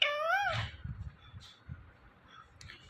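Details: Indian ringneck parrot mimicking a meow right after one is spoken nearby: a loud wavering, nasal harmonic call in the first half second, then soft clicks and low background noise.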